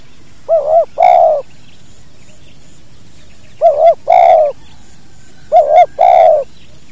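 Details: Spotted dove repeating its two-note 'kuk dua' call about every two and a half seconds, three phrases in all, each a short quavering note then a longer mellow coo, in a natural recording for training other birds.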